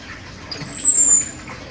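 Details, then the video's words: Contest-champion chestnut-capped thrush singing: one thin, very high whistle that slides gently downward for under a second, then stops, over faint background hiss. "ANIS KEMBANG JUARA NEMBAK TAJAM"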